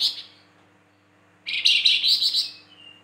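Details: A Flamboyan, a bird valued for whistles, 'tembakan' shots and rough notes. A trailing buzzy note is followed by silence, then a loud scratchy chattering burst ending in a soft thin whistle.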